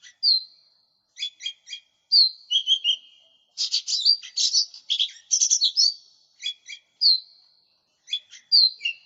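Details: A lesser green leafbird, recorded as a lure and training song, sings a lively, varied song of high slurred whistles broken by quick dry chattering bursts, with no other sounds.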